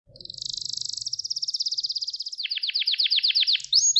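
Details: Gloster canary training song, meant to stir up and excite males and teach young canaries to sing: a fast, high buzzing trill that slows into a run of sharp descending notes, then bright rising whistles at the end.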